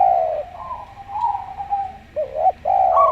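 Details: Local zebra dove with a slow voice: long level coos at first, then short hooked notes and a final sustained coo rising at the end.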